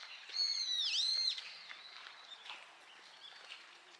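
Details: Brown-eared bulbul among many singing bulbuls visiting Harumeki cherry blossoms for nectar in spring in Minami-Ashigara, Kanagawa, giving a loud, shrill, squealing whistle that dips midway, then fainter squeaky calls from other bulbuls.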